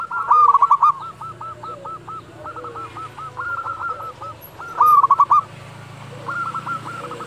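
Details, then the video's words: Local zebra dove at dusk. Loud, fast, trilled runs of hollow notes come in two bursts. Long, softer repeated series from other doves fill the spaces between them. "perkutut lokal gacor panggilan waktu senja"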